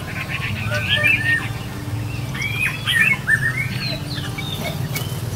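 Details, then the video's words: Red-whiskered bulbuls, a flock returning with food to feed their chicks during the breeding season. Short, bright, curving whistled notes bunch around the first and third seconds, with scattered chirps throughout, over a steady low rumbling hum. "Đàn Chim Chào Mào Về Cắp Mồi Nuôi Con Mùa Sinh Sản"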